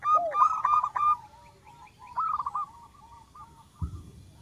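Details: Local zebra dove in full, small-voiced cooing song, used as a lure for trapping: a rapid burst of short stacked coos and a low arched note, then a rolling trill of quick notes fading into soft scattered coos, with a dull thump near the end.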